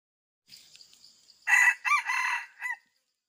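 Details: Challenging crow of a male red junglefowl aimed at a rival: a faint high buzzing first, then one loud, hoarse crow in four segments, the long middle stretch followed by a brief clipped ending.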